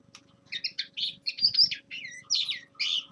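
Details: Young male linnet in winter, singing quieter separate twittering and buzzy phrases over a faint low hum and soft background rumbles.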